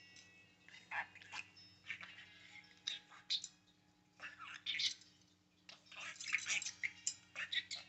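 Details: An excited pet parakeet, moving, jumping around and flapping its tail, chatters in quick, high, squeaky bursts of speech-like babble. Brief pauses separate the runs, with a steady low electrical hum underneath.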